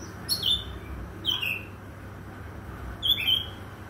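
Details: Morning song of an Oriental magpie-robin: three brief, sharp whistled phrases, each falling quickly in pitch, spaced about a second or more apart against a low background hum.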